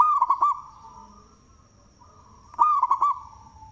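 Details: Local zebra dove with a loud voice, singing, a bird suited as a lure: two bursts of mellow, rolling coos, each about four quick looping notes, separated by a pause with a faint steady tone and a thin high whine.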